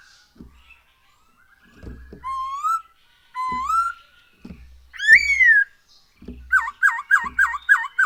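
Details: Black-throated laughingthrush singing, used as a lure to prompt birds to sing; rising whistles grow louder, then a quick series of bouncing looped notes, with scattered soft knocks and taps between phrases.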